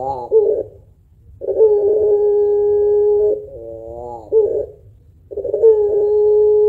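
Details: Puter pelung spotted dove giving its long cooing song, kept to prompt other birds to sing. Short burbling notes open, followed by a long flat held coo, a quivering wavy phrase, a gap, and another sustained coo.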